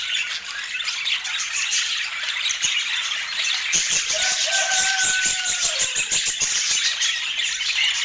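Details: Budgerigars at their daily food routine in Scandinavian light: busy high chattering throughout, with rapid clicking taps mid-way and a long, drawn-out squeaky whistle sliding gently downward near the middle.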